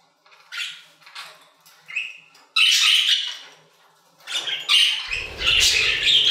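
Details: Aviary budgerigars calling with separate short chirps and squeaks at first, then louder bursts of buzzy warbling and chatter, along with a low rumbling noise near the end.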